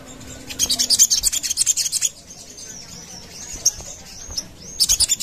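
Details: Sogon lure sound: a brisk series of high, sharp ticking notes, a thin wavering whistle, then a brief renewed burst of chips.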